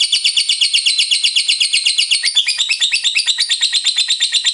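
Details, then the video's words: Shrill nonstop ngekek chatter from a lovebird: dense, scratchy pulses fired in quick regular succession, shifting slightly in tone midway but never pausing. "LOVEBIRD FULL NGEKEK"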